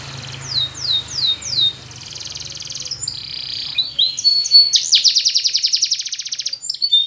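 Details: Timbrado canary, Spanish breed, singing a training song over a low steady hum: repeated falling whistled swoops, a buzzy rattle, then a fast ringing metallic trill.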